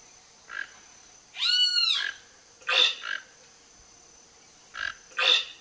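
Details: Wild Toco toucan feeding on Cecropia fruit in Brazil: one drawn-out harsh, arching croak followed by shorter rasping notes and sharp clicks.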